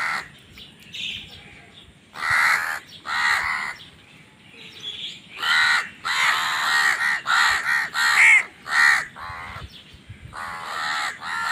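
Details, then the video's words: Crows calling while fighting over food: bursts of harsh, nasal caws, some overlapping, given in quick clusters with short pauses, the loudest run coming in rapid succession near the end. "Crow Bird Crowing Sounds"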